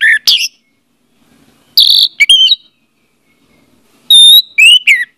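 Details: Orange-headed thrush song played as a lure to get a silent bird singing: loud clear whistled phrases and sharp chirps in separated bursts with pauses, rising and falling notes with bright harmonics.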